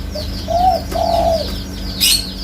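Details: Spotted dove giving a two-part cooing phrase, a short soft note then two rounded, gently rising-and-falling coos, over a steady background of rapid descending chirps from other small birds and a sharp click near the end.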